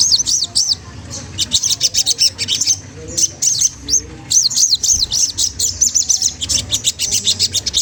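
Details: Magpie-robin song used to provoke a rival bird: bursts of sharp, high, rising-and-falling chirps repeated in rapid series with short pauses between runs, above a steady low hum.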